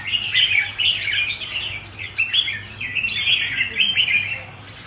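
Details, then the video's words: Red-whiskered bulbul, a kept songbird, singing in a run of bright, rapid whistled and chirping phrases at high pitch, almost continuous over several seconds, with a steady low hum beneath and no voices. "Chào mào có nết đẹp mắt được nhiều Ae săn đón !"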